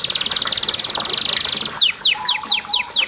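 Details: Canary singing over running water, used to train and stimulate other canaries to sing: a fast buzzy trill, then a series of rapid descending whistled sweeps repeated about four times a second, with constant water noise beneath.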